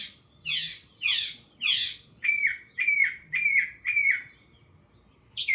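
Northern Mockingbird singing: three loud, harsh buzzy phrases, then four sharp clear notes repeated in a steady series, each phrase given several times.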